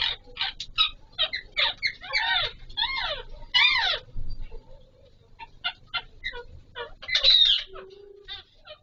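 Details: Pahari Kashmiri parrots, Alexandrine parakeets, calling during mating; loud rasping squawks with arched harmonics in a burst, then quieter clipped chirps and one sharp screech near the end.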